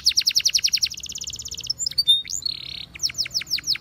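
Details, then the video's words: Belgian canary singing for training, a very fast even trill of high pulsed notes, then a buzzy flat tour and slower strong downward sweeps. "The Best Belgian Canary Sound For Training!!!"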